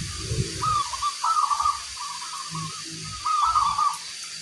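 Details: Local zebra dove (perkutut) singing: several short purring coo phrases in an uneven sequence, partly over low rumbling noise, with a steady high-pitched hum throughout.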